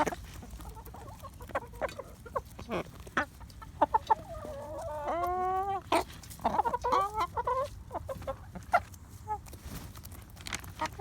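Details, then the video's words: A sick hen with a full, squishy crop makes odd, strained vocal noises: short clucks, then a harmonic, wavering squawk near the middle and another drawn-out complaining call, all separated by scattered clicks and knocks. "Chicken weird noise"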